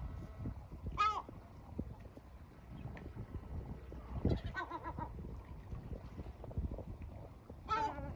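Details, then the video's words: Adult male yellow-legged gull, part of a family with a female and chicks, scolding the young toward shelter: three separated harsh screeches spaced a few seconds apart amid low rumbling sounds. "familia unida de gaviotas. padre cabreado hasta que pollo rebelde se mete en habitacion"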